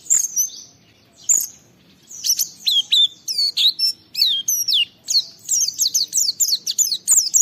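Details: Energetic Oriental white-eye singing, meant to stimulate other white-eyes to sing, with varied high slurred whistles that speed up into a dense chattering stream of quick down-swept notes.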